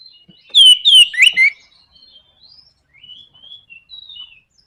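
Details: Orange-headed thrush giving 'nraktak konslet' song meant to provoke other birds to sing: a sharp burst of three or four loud, slurred, falling whistles, followed by a scatter of soft, faint twittering notes.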